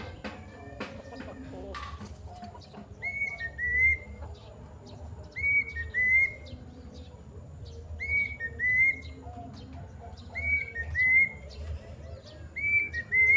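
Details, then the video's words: Plaintive cuckoo (kedasih) in sustained long song: five loud whistled two-note phrases, each note a quick rise into a level tone, repeated about every two and a half seconds, with a few clicks early on and soft background hum. "kedasih gacor bunyi panjang"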